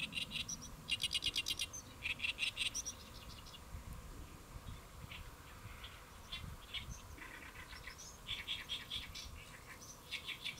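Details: Perched on a lotus leaf at Saemangeum, South Korea, on a July 2024 midday, a great reed warbler sings loud, rhythmic, grating repeated notes, then quieter chatter, over a steady low hum.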